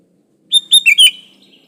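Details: Sooty-headed bulbul song used to lure other bulbuls into singing; a single quick phrase of four liquid chirped notes, dipping then rising, lasting under a second.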